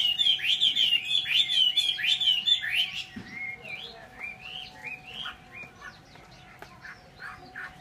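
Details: Chinese hwamei kept as a cage bird in Vietnam opens with a loud burst of fast trilled whistles, then drops to softer, spaced, rising whistled notes repeated a little over twice per second.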